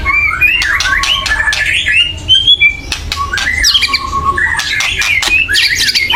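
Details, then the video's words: Agitated white-rumped shama giving a loud chattering call used to provoke other birds into singing; a harsh run of clicks and rasps mixed with whistled, wavering notes, continuous and intense throughout. "kretekan keras murai / menaikan emosi agar bunyi"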